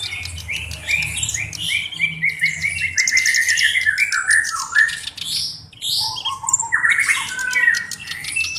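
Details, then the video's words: Black-browed reed warbler in full song as a tutor bird: a long, rapid run of varied chirps, slurred whistles and harsh chattering notes, stepping down and back up in pitch, with a soft low hum behind. "BURUNG KERAK BASI ALIS HITAM GACOR"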